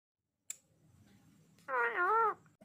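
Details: An Indian ringneck parakeet talking to a mirror utters a single drawn-out, wavering word-like sound with a rising-then-falling pitch, after a sharp click and soft room murmur.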